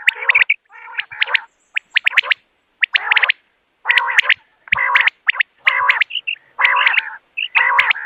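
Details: Common quail heard in the morning, a recording meant for hunting: rough nasal buzzy phrases alternating with sharp clipped notes, repeated about once a second in overlapping series.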